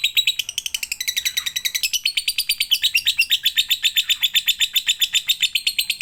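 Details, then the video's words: Lovebird lure song to make lovebirds sing: a fast, shrill chatter starting slightly lower and rising, then holding a steady rapid pulse of high chirps, roughly seven per second, with no background noise. "Pancingan agar love bird anda gacor"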